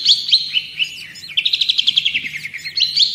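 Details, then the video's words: Long-tailed shrike (cendet or pentet) singing a tutor song: scattered sharp high notes, then a quick, chattering, descending trill, then a few more bright chips. "Masteran Dan Pancingan Burung Cendet/Pentet"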